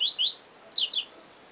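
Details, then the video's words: Siu siu song of a yellow-bellied seedeater: a rapid string of high, sweeping whistled slurs, several falling sharply in pitch, lasting about a second before fading into quiet. "Papa Capim Siu Siu Professor"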